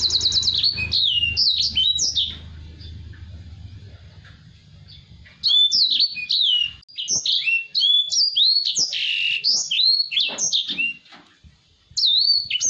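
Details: Black-throated canary (Crithagra atrogularis), song: tutor song for training other cage birds.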